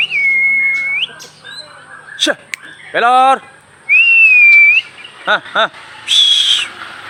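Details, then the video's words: Aceh kacer (Oriental magpie-robin) in 'pelor' style song rich in material: several long pure whistles, some level and some rising at the end, broken by short harsh stacked bursts and a high buzzy note near the end. "semakin hari gaya pelor semakin enak,kacer gaya materi banyak kacer aceh"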